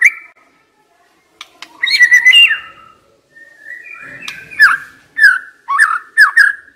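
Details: Caged decoy white-rumped shama: a warbled whistled phrase, a pause, then a series of loud, slurred fluty notes roughly every half second.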